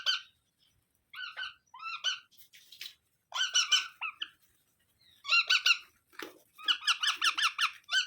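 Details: Scattered clusters of squeaky, rasping calls from a baby parrot, separated by short silences, building at the end into a quick run of loud harsh notes.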